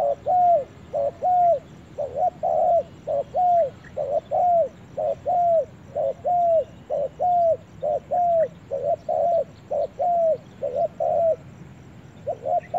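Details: Spotted dove calling in a forest, giving an unbroken run of short, low, hollow coos, each note slightly arched, repeated about twice a second, over a quiet background hiss.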